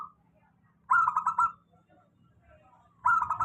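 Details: Steady lure song of a local zebra dove, meant to prompt lazy-singing doves: two loud, rolling, pulsed coo phrases separated by about two seconds of quiet.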